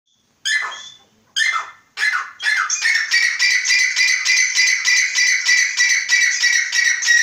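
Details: Grey francolin calling: three separate harsh, scratchy notes, then a fast steady run of raspy squawks repeated about three times a second without pause, loud and close in a quiet setting.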